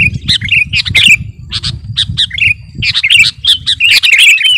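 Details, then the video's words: Kutilang garuda, a sooty-headed bulbul, singing gacor as master song for luring; lively clusters of short bright chirps and liquid whistles, some sharp higher notes, steady low rumble in the background. "Burung KUTILANG GARUDA Gacor..!! cocok buat pikat masteran"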